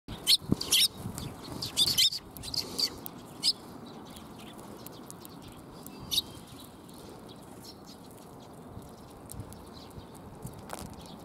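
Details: Sparrows coming to be fed on the front approach of a Tenmangu shrine, 17 March 2021: a burst of short, bright chirps and tweets in the first few seconds, a single later chirp, then quiet background hiss.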